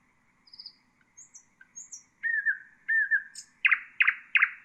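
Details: Common nightingale singing, a song played to teach bulbuls and songbirds: soft high whistles and thin notes, then two loud swooping phrases and three emphatic, sharp, repeated notes. No other sounds are heard.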